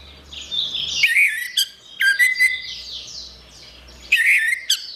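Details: Three lively phrases of slurred whistles and harsh clicks come from an orange-headed thrush, roughly every one and a half seconds. The recording is meant as therapy for birds gone quiet. A busy high chirping chatter fills the background.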